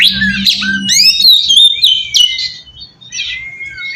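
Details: Oriental magpie-robin song used as a lure to draw in other magpie-robins, which are meant to answer: high, rich whistles slurring up and down, with buzzy rasping phrases mixed in and a low steady hum beneath.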